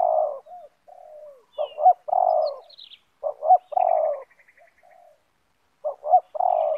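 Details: Loud 'banggo' spotted dove, decoy and wild bird facing each other in a yard during lure trapping; repeated phrases of two quick clipped notes and a long, hoarse, falling coo, with faint high chirps of other birds.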